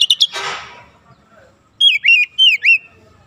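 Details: Oriental magpie-robin training song for untrained birds to sing dense rapid bursts: a few quick high chips, a short noisy burst, then four clear downslurred whistles after a pause.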